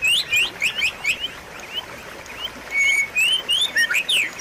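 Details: White-rumped shama singing a fast run of sharp, high upslurred whistles and chirps. Bright bursts are separated by brief quieter pauses, with one longer level whistle and descending slurs toward the end.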